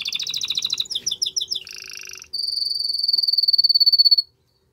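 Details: Canary delivering a strong song meant to stimulate a female to mate: a fast trill of paired notes, a run of chopped downward notes, a lower buzzy roll, then a long steady rapid rattle that stops abruptly.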